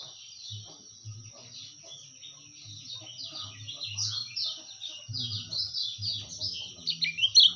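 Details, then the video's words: Kecial kuning white-eye singing in a recording used to tutor or lure birds: a continuous thin, high twittering chatter, softer at first and louder toward the end, over scattered dull low knocks and faint background noise. "masteran terbaik burung kecialkuning"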